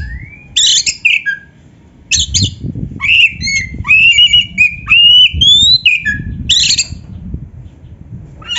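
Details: A white-rumped shama sings, played as a master for kept birds: harsh buzzy bursts alternating with long clear whistles that climb step by step, over a noisy low rumbling background.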